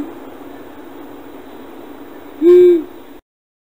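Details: Long-eared Owl in Idaho, a slender nocturnal owl, gives a single low, soft hoot, level and slightly arched, lasting under half a second over a steady background hiss.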